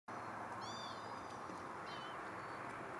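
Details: Northern lapwings call in August at Langford Lakes Nature Reserve, Wiltshire, UK, while flying over trees and landing beside a lake: two wheezy, slurred rising-then-falling 'pee-wit' calls about a second apart over steady background hiss.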